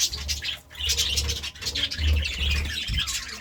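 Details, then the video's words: Budgerigars chirping in the morning: dense, busy high twittering and chatter with short scratchy notes, dipping briefly quiet about halfway, over a steady low electrical hum. "Budgie Sounds part 33 | A beautiful chirping sound in the morning"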